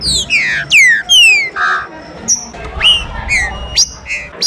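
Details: Rainy-day song warm-up of a green-winged saltator, meant to stimulate singing: strong downward-slurred whistles at the start, then shorter rising and falling whistled notes, some brief chirps, light background noise.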